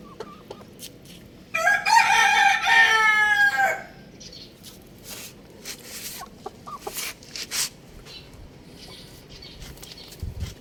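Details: Young rooster playing on a roof gives one loud, harsh, strongly harmonic call lasting over two seconds, rising then falling slightly. Afterwards the bird falls quiet, leaving only scattered soft clicks and taps.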